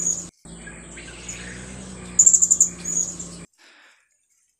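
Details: Blue-crowned hanging parrot near mangroves giving thin, very high squeaks, then a quick burst of about six sharp chirps over a low steady hum; may be a chasing-off call.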